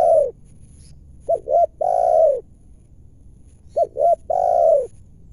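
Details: A wild spotted dove calling at a trapping site utters a phrase twice: a pair of brief clipped notes followed by one long, soft, full coo, the phrases about two and a half seconds apart, background quiet.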